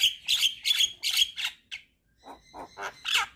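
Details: A Javan myna sings energetically in a 'full isian' style, bobbing its head. Rasping, buzzy notes come in a quick series of about four, then a short gap, then softer grating phrases and a final harsh burst.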